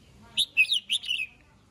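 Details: Red-whiskered bulbul singing in the morning, calling the flock: one quick phrase of five bright warbled notes, rising and falling between mid and high pitch, ending in a short trailing slur; background otherwise quiet.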